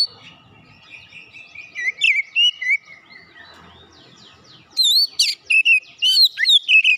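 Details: Oriental magpie-robin lure song meant to rouse another bird into singing its full repertoire: a long thin descending whistle, then loud, rapid, varied whistled and chirping phrases with sharp upslurred notes in the second half.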